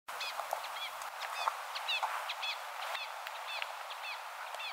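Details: Golden-backed Mountain Tanager, a treeline species of misty elfin forest on the Peruvian Andes' eastern slope, gives high, thin, slurred chips repeated irregularly several times a second over a steady rushing background of wind or water.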